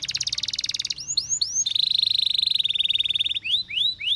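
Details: Canary song: a buzzy pulsed rattle, a few rising swooped whistles, then a long sustained buzzing trill, ending with more rising swoops.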